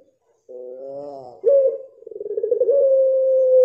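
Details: Puter pelung dove song with its own rhythm character: a soft harmonic rising coo, then a louder pulsing, wavering note that settles into a long steady drawn-out tone. Quiet background.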